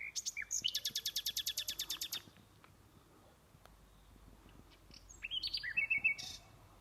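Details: Night bird giving a rapid run of about fifteen high buzzy notes over two seconds, a quiet gap, then a short burst of sharp chirps and a descending whistle, with steady low background hiss.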